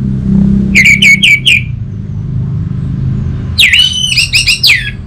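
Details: Orange-headed thrush singing: four quick downslurred whistles, a pause, then a richer phrase that opens with a swooping note and ends in rapid chattering whistles. Low traffic-like rumble runs throughout.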